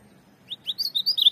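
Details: Ultramarine grosbeak, a tournament azulão, after a short silence singing a run of quick warbled notes that slide up and down, growing louder and denser toward the end.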